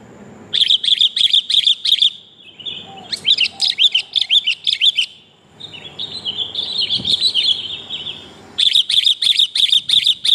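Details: Sooty-headed bulbul female calling to a male, played as a lure: fast, evenly spaced chirps in tight bursts, a more tangled twittering stretch in the middle, then another regular chirping run.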